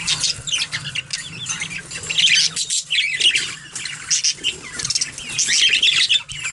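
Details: Pet budgerigars at their bath keep up continuous high, buzzy warbling chatter with squeaky notes and intermittent splashing flutters, over a low steady hum in the background.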